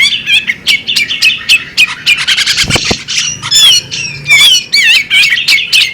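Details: Female bearded magpie robin giving a busy run of harsh squawks and sweet whistled notes around mid-high pitch, some notes bending up and down in wavy slurs, about 74 notes a minute, with a brief low thump midway.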